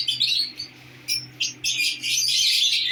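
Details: Newly placed pair of lovebirds: shrill chatter, then a few sharp isolated squeaks, then dense loud chattering again, with a low steady hum behind.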